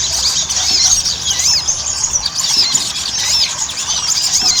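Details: Ruby-cheeked sunbird singing vigorously, used to coax other sunbirds into song. Dense high squeaky twitters with rising-falling looped notes run almost continuously above a constant hiss.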